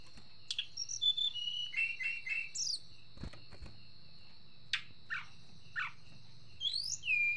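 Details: Short chirps and falling slurred notes from an agitated Sunda blue robin, loosely strung together with gaps, ending in a rising whistled phrase, over a continuous high steady whine and faint low hum.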